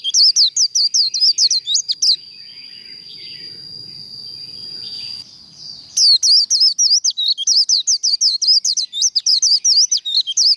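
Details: Japanese white-eye singing in contest training style, a rapid run of high, sharp, twisting whistled notes, then a long steady thin tone for about four seconds with quiet murmur beneath, before the fast chattering warble resumes.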